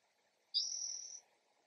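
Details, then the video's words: Spotted towhee calling early in the morning in a backyard: one buzzy, mewing note, high-pitched and slightly sliding, lasting under a second, over a faint low background hum. "Spotted Towhee call"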